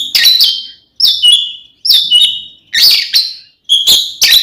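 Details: Oriental magpie-robin giving its ngeplong fighting song, meant to anger rival magpie-robins: loud, ringing phrases about once a second, each a sharp high note sliding into a lower, slightly harsh whistle.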